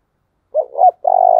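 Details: Decoy spotted dove, kept for training other doves, giving an urging coo: two short throaty hooting notes followed by one long, steady, mellow coo held for nearly half a second. There is no background noise.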